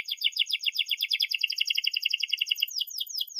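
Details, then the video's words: Canary song serving as a lesson for young canaries: a dense rapid rolling trill of bright repeated notes over three seconds, ending in a few drawn-out descending slurs. "kenari gacor panjang NEMBAK TAJAM ini ahlinya untuk PANCINGAN KENARI PAUD BELAJAR BUNYI"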